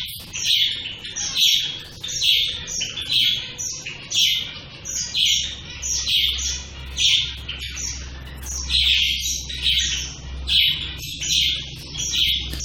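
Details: A group of shaft-tailed finches with one bird's high, clear call note repeated steadily about every second for over twelve seconds, each note short and ringing, against a quiet low hum.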